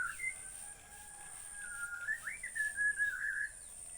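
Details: Bornean white-rumped shama singing softly: thin whistles, then a rising swoop into a chain of wavering fluty notes over the last two seconds, with steady hiss behind.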